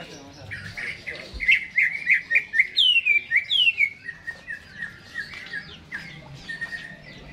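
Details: Caged greater green leafbird singing actively before being hung up: a fast run of sharp chirps and downslurred whistles near the upper-middle range, roughly four notes a second, followed by softer warbled phrases.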